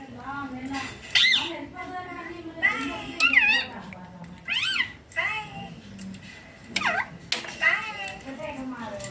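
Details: Young green Indian ringneck parakeet, playing and being fed, repeats sharp, arched, harmonic squawks every second or two over about nine seconds, with quiet human voices in the background.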